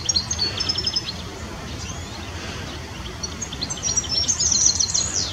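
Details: A European goldfinch (Carduelis carduelis) sings quick, tinkling high twitters and liquid trills in bursts, over a steady low background rumble.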